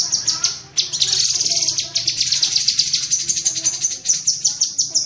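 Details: Cucak kinoi bulbul giving tembakan cerecetan, rapid chattering used as masteran training audio for pet songbirds: dense bursts of high, sharp chips packed closely together, with brief pauses between runs.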